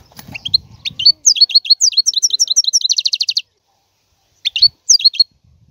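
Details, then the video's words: Goldfinch song opening after a low rustle: a run of quick varied twittering notes climbing into a rapid trill, then a pause and a few short tinkling phrases. "احسن وافضل تغريد طائر الحسون"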